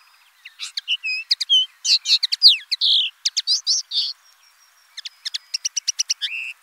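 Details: Common linnet singing a lively twittering phrase of rapid varied chirps, short whistles and buzzy slurred notes, ending in a fast even run of clipped notes.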